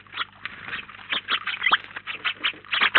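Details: House sparrows feeding together in Collado Villalba, Spain, utter short bright chirps roughly every quarter second, one downward-sliding call near the middle, ending in a loud burst.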